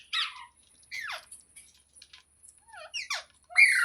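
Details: Quiet, varied notes from a green parrot: short sliding chirps and squeaky twisting sounds spaced by silences, ending in a louder harsh screech.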